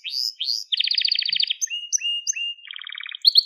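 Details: Crested Gloster canary song meant for teaching young canaries, with rising sweeps leading into a fast rolling trill, then level whistled notes and a low buzzy rattle.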